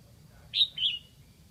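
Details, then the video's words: Decoy red-whiskered bulbul from Lạng Sơn singing to lure wild bulbuls: a short bright two-part whistled phrase, a sharp high note sliding down into a second warbled note, over a low background hum. "Mào mồi gáy kiểu này liệu có gọi được bổi không đây?"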